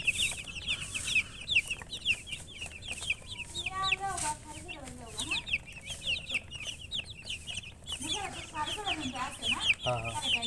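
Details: Several chickens give constant rapid high chirps, each a quick falling peep. A few lower, longer descending calls break through around the middle and near the end over a low hum.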